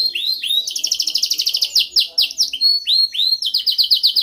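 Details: Canary training song, a dominant strain: rising whistled notes lead into a fast pulsing trill of about twenty beats, then more rising whistles and another quick rattling trill, clear and close.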